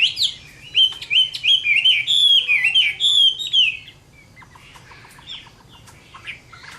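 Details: Caged Chinese hwamei singing a fighting song at summer midday: a loud burst of rich, varied whistled phrases sliding up and down, fast and continuous for about four seconds, then quieter scattered notes and clicks.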